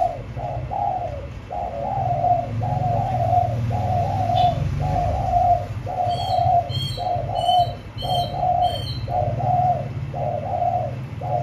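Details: Caged spotted dove cooing: soft, low, hoarse coos in short phrases, repeated about once a second, over a steady low hum. Brief, high, quick repeated chirps from another bird come in near the end.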